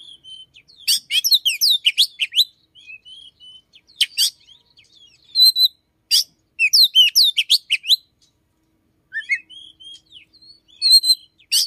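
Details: Oriental magpie-robin in morning song, its voice said to imitate another small bird: bursts of rapid sharp chirps and buzzy trills alternating with thin whistles and short silent gaps.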